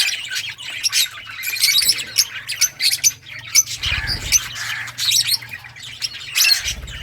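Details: A group of lovebirds in assorted colours keeps up continuous shrill, buzzy chatter, sharp squeaky notes piling over one another with a few low thumps.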